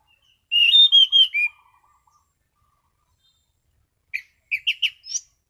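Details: Relaxed, clear 'ngeplong' singing from an orange-sided thrush: a rich whistled phrase of about five falling notes, a pause of over two seconds, then a shorter choppy phrase ending on a rising high note.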